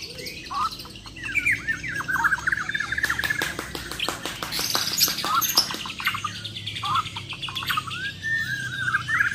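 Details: Champion Bornean white-rumped shamas in a mental test, singing a full song of rapid rattling besetan and sharp tembakan bursts: varied rich whistles sliding up and down, a dense run of fast clicking notes through the middle, then more fluting phrases.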